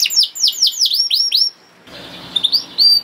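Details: Canary singing a master song meant to train young birds and get canaries singing quickly: a run of about six loud, high downslurred notes, a brief pause with faint background rustle, then thin rising whistles.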